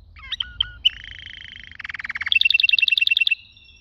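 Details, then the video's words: Canary song: a few sharp chirps, then a long steady whistled note, a fast buzzy trill and a bright rapid repeated phrase of high notes, with faint low background hum. "Best canary singing 2021 beautifull"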